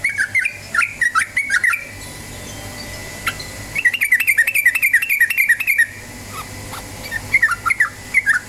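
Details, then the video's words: Yellow-vented bulbul in rapid ropel style, offered as a lure to prompt singing: repeated quick phrases of bubbling, slurred notes in three bursts separated by brief pauses. "PANCINGAN TRUCUKAN BAHAN agar cepat bunyi ROPEL"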